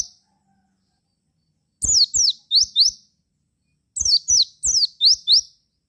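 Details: ['High, piercing song of a Javan white-eye intended to draw replies from other white-eyes: after a silence, two bursts of paired down-slurred chirps and upswept flicks, each burst about a second and a half long.']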